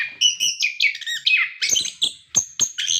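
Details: Orange-headed thrush, a lively caged bird used to prompt other captive birds to sing, delivering a rich varied song of whistled and buzzy phrases, quick rising and falling notes with sharp high accents, no other sounds.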